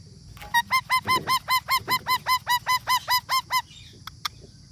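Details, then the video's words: Parrot giving a rapid run of about fourteen identical loud calls, each a short squawk that bends downward at the end, about two or three per second, then a couple of faint clicks. A steady high whine runs underneath. "Parrot talking videos"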